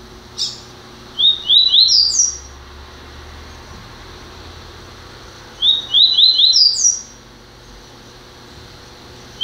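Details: Double-collared seedeater, newly acquired, repeats its song twice about five seconds apart, each a short chip then a run of rising whistled notes closing on a high slurred note; low hum persists.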